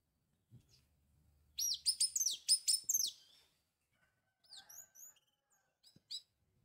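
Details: Orange-headed thrush (Geokichla citrina) song, used as a lure to get a silent bird singing: a rapid burst of loud, high, looping whistled notes, then softer scattered chirps and a brief low whistle, in a quiet indoor setting.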